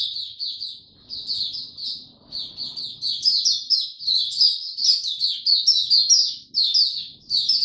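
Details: White-eye opening into song on 26 March 2022 in warm, very humid weather: high, rapid chattering phrases of slurred twittering notes, pausing briefly near the two- and six-second marks before resuming, with faint low background noise.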